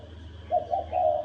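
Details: Spotted dove with a thổ đồng style call, meant to provoke males into fighting. A single throaty coo: two brief notes, then a longer held note, against a faint background hum.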